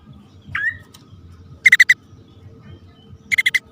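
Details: Bar-winged prinia pair, male and female, calling for bird luring: one sweeping chirp followed by two quick bursts of four clipped, rasping notes, with a faint low background rumble.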